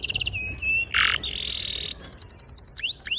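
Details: Canary singing loud and sharp to prompt young canaries to learn song: a rapid high trill, a harsh buzzy burst, a sustained rolling note, then a string of bright chipping whistles and upward slurs.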